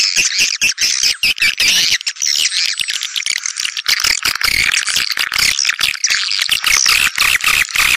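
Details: Swiftlet calling sound used to attract swiftlets: dense, high twittering chirps overlaid with rapid dry clicks, continuous across the whole stretch with brief gaps.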